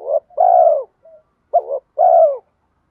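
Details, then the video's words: Spotted dove decoy in 'giọng đồng' style, cooing to draw wild doves in: paired phrases, each a short rolling coo then a long, smooth, falling coo, all low-pitched and clean with no other sounds. "Cu gáy giọng đồng pha thúc Gù Kèm Mắt Me rút chim bổi cu gáy rừng nhanh về cội"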